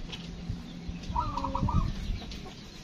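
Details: Local zebra dove, called gacor for its keen singing, heard in a cool village countryside in the morning: a short run of soft, rolling, bubbly notes over a low, steady rural rumble.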